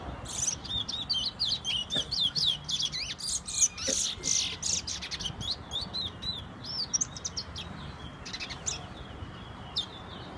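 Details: Towa towa, or chestnut-bellied seed finch, from Guyana, whistling in 2021: a fast, sustained stream of high, sharp whistled and buzzy notes in clustered phrases, with steady faint background hiss.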